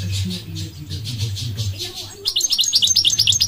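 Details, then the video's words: A goldfinch gives softer hissy bursts over a steady low hum, then breaks into a fast run of bright, tinkling twitters in the last second. "The elegant migratory goldfinch sings the most beautiful singing"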